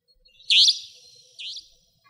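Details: Savanna Nightjar, nocturnal territorial resident in Pingtung County, Taiwan, 2014–15, gives two harsh, buzzy, high-pitched notes about a second apart, the first louder than the second, with a quiet background.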